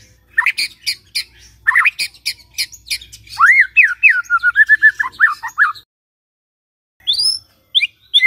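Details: White-rumped shama song used as a morning lure to get a silent shama singing: rapid bright chirps, then a run of looping whistled notes rising and falling, a short pause and a few high sharp notes.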